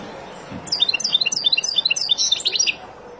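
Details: Wild European goldfinch song for training young birds: a dense run of sharp, high, liquid chirps tumbling rapidly for about two seconds after a soft low thump.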